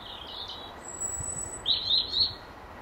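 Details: Garden European robin singing from the same branch of an apple tree in the last hour of daylight, proclaiming its territory: a thin sustained high whistle, then a rich, rapid warbling phrase of tumbling notes, with low rumbling background noise.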